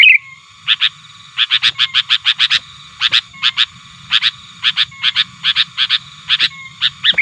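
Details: Sooty-headed bulbul challenging rivals, used to excite wild birds. Clipped, ringing notes repeat in quick pairs and trios with short gaps, opening and closing with a slurred chirp.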